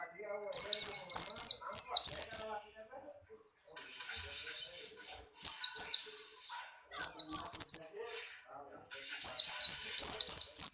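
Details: Pleci Buxtoni white-eye in breeding condition, kept as a cage bird, delivering high twittering song in fast runs of slurred notes, four bursts with brief silences between, faint low background noise.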